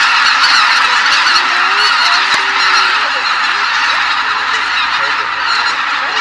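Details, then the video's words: A large flock of greater white-fronted geese taking off together from a marsh at sunrise, a dense chorus of overlapping high, yelping honks calling continuously. "マガン ～朝の飛び立ち～"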